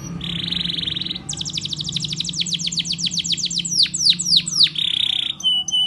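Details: Spanish Timbrado canary training song: a buzzy trill near 3–4k, then rapid repeated descending notes sweeping down, slowing into louder downward-curved whistles and a final buzzy roll; a faint low hum underneath.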